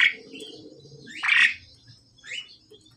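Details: Pied myna pair, male and female, during pairing: a few loud rasping squawks against a low background hum.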